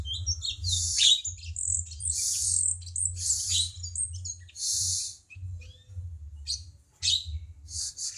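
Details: Cucak cungkok bulbul song used to tutor cage songbirds: dense, buzzy, high chattering phrases with bright whistled slurs, then a looser stretch of short chips, over a low background hum.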